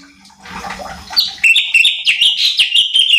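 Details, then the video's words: Cucak cungkok, the light-vented bulbul, singing on a training recording meant to rile other birds: a rushing, splashing noise at first, then quick, uneven chirped notes repeated about three times a second. "CUCAK CUNGKOK GACOR || Pancingan Cucak Cungkok Malas Bunyi | Bikin Emosi Burung Lain"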